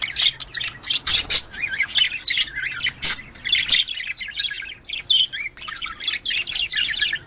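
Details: Chattering budgerigar sounds meant to bring birds into breeding condition, with rapid squawky bursts and rolling twittering phrases in quick succession and a couple of sharp clicks.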